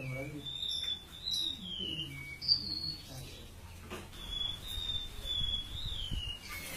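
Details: Siur laut bird singing actively: long, high, wavering whistled phrases that rise and fall, with short pauses between them and faint background noise.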